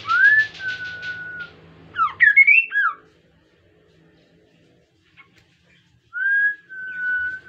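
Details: Kaso-kaso bird in lively song, offered as a lure so other birds join in. A buzzy rattle runs under a long flat whistle, then a tangled slurred phrase; after a quiet pause the rising-then-level whistle returns.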